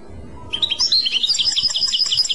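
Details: European goldfinch in clochette song: a short burst of quick, liquid, tinkling chirps, repeated rapidly and evenly for nearly two seconds.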